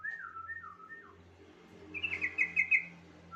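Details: Lure song for getting other bulbuls to sing: a yellow-vented bulbul gives a quick bubbly chattering phrase, preceded by a few clear falling whistles and accompanied by low background hum.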